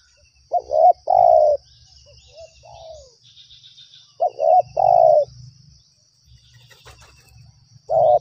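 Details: Lured spotted dove at a trapping site giving repeated coo phrases, a quick stuttered double note then a long mellow coo, with a softer short coo between phrases and a low rumbling noise underneath.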